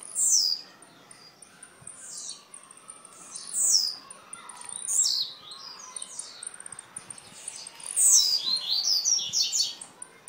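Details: Blue-black grassquit from Jacarepaguá, Rio de Janeiro, repeating short, high, buzzy song phrases that each slur steeply downward, given every one to two seconds, with faint chirps between.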